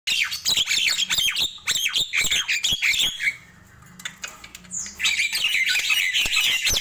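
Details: Nias hill myna chattering in the morning: rapid run of loud, harsh squawks and sweeping whistled notes, briefly pausing near the middle before the busy calling resumes.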